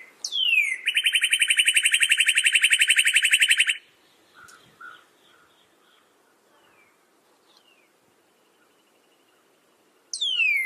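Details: Northern cardinal: a steep falling whistle leads into a three-second rapid trill of even repeated notes, then quiet soft chips, and another falling whistle at the end.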